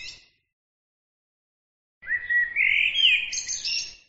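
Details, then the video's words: Bird song: after a brief fading note and a pause, one loud phrase of sweeping whistles rises and arches, then breaks into a high, rattling, scratchy ending over faint background hiss. "bird عصفور"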